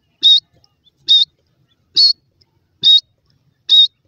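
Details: Grey francolin chicks in a forest, calling for their mother: high, thin, clear whistled peeps, five in about four seconds at a steady pace of roughly one each second, on a quiet background.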